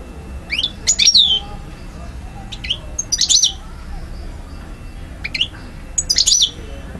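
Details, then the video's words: European goldfinch from Algiers, Algeria, recorded 2012, singing sharp high chirps and bright descending twitters in three main bursts with quieter notes between, over a low steady background hum. "Carduelis* chardonneret* jilguero* حسون alger"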